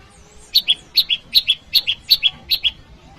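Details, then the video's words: Bar-winged prinia calling to challenge a rival, used to lure wild prinias and to train cage birds: six quick paired high chirps, each a sharp note followed by a lower one, repeated about every 0.4 seconds over a quiet background. "PRENJAK LUMUT || Prenjak jawa Suaranya memanggil lawan"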